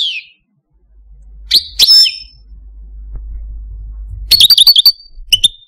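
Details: Sparse notes from a caged pet Algerian parva goldfinch: a falling whistle, two sharp chirps, a long gap with faint hum, then a quick run of liquid twitters and a final clipped note.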